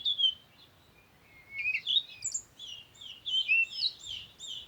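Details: Songbird chirping: a sweet whistled opening, then a run of quick rising and falling twittering notes, high and clear over quiet background noise.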